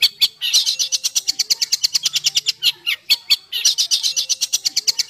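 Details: Harsh 'besetan kasar' songbird sound, used to train house and contest birds: a rapid, rough rattle of scratchy pulses, about six per second, swelling into denser buzzy stretches.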